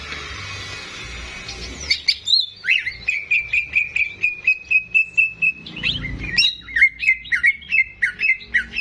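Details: Greater green leafbird, a kept songbird singing actively, recorded as a tutor song for training young untrained birds: after a noisy opening, a fast run of bright whistled notes repeated several times a second, then varied slurred chirps.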